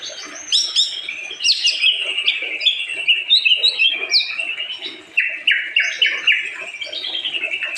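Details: White-rumped shama delivering a continuous, rich song of varied whistles, sweet slurred phrases and fast trills, changing pitch constantly across high and mid registers, with no pauses and little background noise.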